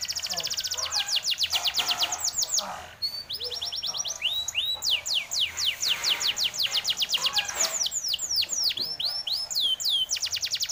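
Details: Canary singing continuously: long runs of quick, bright descending sweeps, repeated at a steady pace, broken by a brief break and shifts in tempo, with thin whistled notes mixed in.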